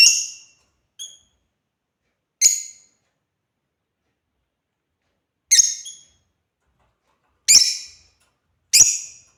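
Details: African lovebirds playing, uttering loud, raspy high chirps singly or in quick pairs at irregular intervals of one to three seconds, with silence between.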